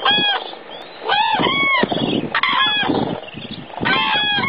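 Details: Common cranes in Spain give loud, rolling trumpeted calls in four bursts about a second apart, several birds overlapping, with a steady murmur of other cranes beneath.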